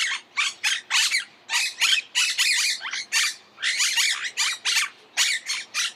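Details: Harsh, raspy screeches from a monk parakeet tumble out in uneven bursts, several notes overlapping at times, without a break.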